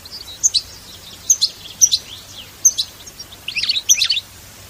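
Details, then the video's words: European goldfinch in a btebta-style song, recorded in nature without sound effects: short bursts of sharp, high twittering spaced about a second apart, then a denser, tumbling flourish near the end over a faint low hum. "بتبتة حماسية🔥بدون مؤترات صوتية🎶 تغريد من الطبيعة 🌿"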